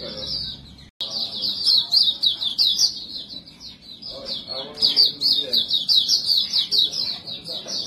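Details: Lure song of a white-eye (montanus, white-breasted pleci): sustained rapid high warbling twitter, rippling and unbroken after a short click-like gap at the start, with faint low background murmur.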